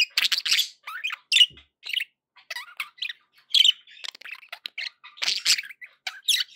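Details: Happy sounds from pet budgerigars, a busy run of short squawky chirps and warbled notes that sometimes rise or fall, coming in uneven groups with brief pauses between them.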